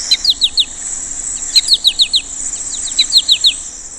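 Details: American goldfinch in spring in Michigan, still olive-green before the male turns yellow for nesting, gives bright, high, downslurred chips in quick runs of three or four like 'po-ta-to-chip', every second and a half, over a steady hiss.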